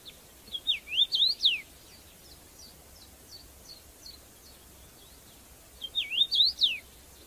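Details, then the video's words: A red-headed bird in the wild gives a bright, jerky phrase of zigzagging whistles ending in a steep downward slur, then faint scattered chips, before repeating the same phrase about five seconds later. "Tiếng Hót Lạ Của Loại Chim Đầu Đỏ"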